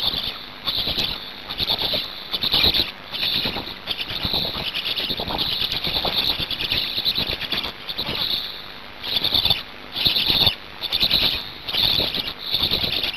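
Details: Black storks at their nest in Hungary during feeding, 5 May 2019 at 17:02; high hissing squeals rise and fall in repeated bursts, turning into distinct separate pulses toward the end, with clattering and rustling between.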